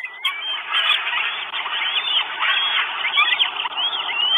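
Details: Northern goshawk nestlings, four chicks wanting food at their nest in Estonia, 1 June 2022, filmed by a live camera: a dense, continuous chorus of high, wavering whines and slurred squeals overlapping throughout.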